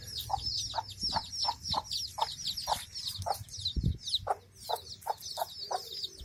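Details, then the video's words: A hen among her chicks gives a steady run of short low clucks, roughly two per second, while many chicks peep continuously and high-pitched above her, with a brief scuffing noise partway through. "Hen | hen and chicks | fun | funny | animal | sound"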